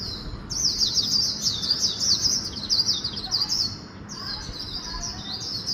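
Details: Fast 'líu cựa đuôi' song of a Swinhoe's white-eye blended with magpie-robin phrasing: a continuous high-pitched chattering warble of quick zigzag notes, easing off briefly before resuming at the end.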